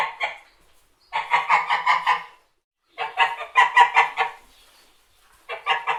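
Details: White geese honking in three bursts of rapid, nasal, harmonic-rich honks, each burst about a second long with short silent gaps between.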